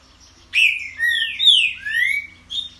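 A green-winged saltator sings rich, slurred whistles: four or five swooping phrases over about two seconds, falling then rising, against a faint low hum.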